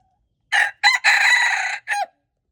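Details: Red junglefowl, February 13, 2025, giving one full crow in four segments: clipped opening, brief second syllable, extended raspy main phrase, and a short tail note sliding downward, with near silence before and after.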